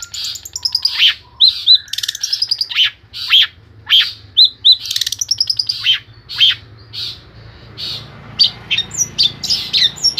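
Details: Long-tailed shrike from Pemalang, Central Java, singing a varied song of sharp chirps and short whistled notes in quick irregular bursts, some falling slurs, with a steady low hum behind.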